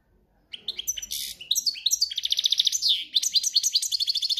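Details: Campero song of a European goldfinch in breeding season: after a short silence, an energetic run of rapid jingling notes, buzzes and regular repeated chirps, all high-pitched.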